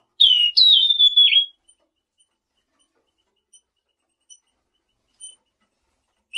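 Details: A selendang biru bird gives a single clear whistled phrase: a short wavering note, then a long level high whistle ending in a downward slur, followed by a few faint soft peeps and near silence.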